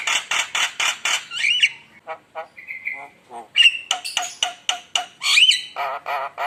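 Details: ['Lure song of a Javan myna to stir up rival birds: rapid rasping notes open the phrase, followed by a warbled whistle, a steady whistled tone, clicks, and then loud squeaky, chattering notes in quick succession.']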